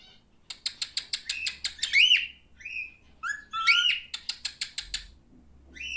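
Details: Male cockatiel alternating quick runs of clicking ticks with rising whistles and short buzzy notes, a lively, continuous warble with a faint low hum beneath.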